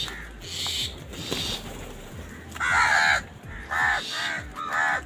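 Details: Angry crows feeding and fighting over food: after a murmur of distant noise, four loud, hoarse, downslurred caws come in quick succession during the last two and a half seconds.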